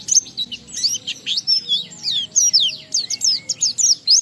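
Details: Ngalas-style song of an Oriental white-eye, riwikan phrases included, intended to prompt other white-eyes to sing: a rapid, continuous chatter of high, sharply slurred whistled notes, each dipping or rising quickly, over a light hum.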